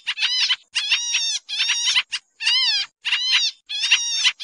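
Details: Trapping lure of an agitated Pied triller: raspy, harmonic, nasal calls with rising and falling bends, given in six or so close bursts, loud and free of other noise.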